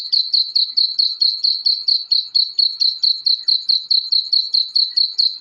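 Black francolin chicks give a steady run of thin, high peeping chirps, about four each second, evenly spaced and unchanging in pitch, with no other sounds.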